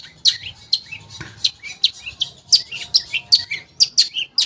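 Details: Long-tailed shrike recording intended to set silent shrikes singing: bright, high chirps and sharp tweets repeated in a lively, uneven rhythm, some with lower buzzy tails.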